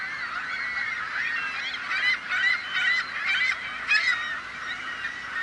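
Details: A noisy crowd of seagulls, harsh overlapping yelping calls in quick bursts, several loud squawks standing out over a constant din of many birds.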